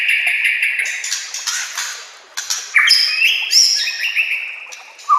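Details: White-rumped shama (murai batu) singing as master song for training other shamas; loud varied phrases of clear whistles and rapid chattering notes, with buzzy high trills and short rising whistles, shifting often, dense and continuous with brief pauses.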